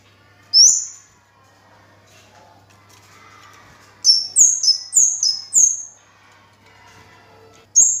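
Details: Orange-headed thrush in full song, delivering a burst of four or five high, sharp, downslurred whistled notes in quick succession, with lone similar notes before and after and faint low hum beneath.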